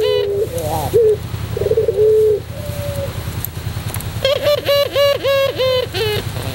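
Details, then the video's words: White pelung Barbary dove singing, a tutoring recording for training birds: low rolling coos with a short trill and a drawn-out tone, followed by a run of quick repeated harsher notes rich in overtones, over a steady low hum. "masteran puter pelung putih manggung"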